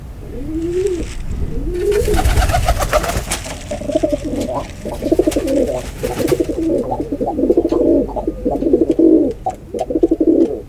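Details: Pigeon cooing in a noisy setting, a couple of arched coos at first, then a loud broadband rustle or clatter, followed by a long stuttering run of throaty coo notes.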